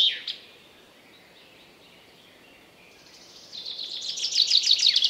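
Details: Wild common chaffinch: a brief high note is followed by a quiet gap, then a song phrase of fast, sharp, repeated high notes grows steadily louder and is cut off before it ends.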